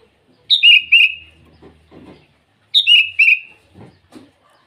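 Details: Sooty-headed bulbul in full morning song, challenging rivals with two loud, rich whistled phrases that step downward, separated by soft rustling and faint clicks.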